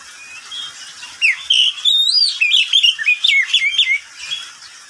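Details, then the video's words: Pet oriental magpie-robin sings at midday: after a soft opening, a dense stream of sweet whistled and trilled notes, rising and dipping rapidly, about four notes a second, fading at the end. "Suara burung Kacer di siang hari"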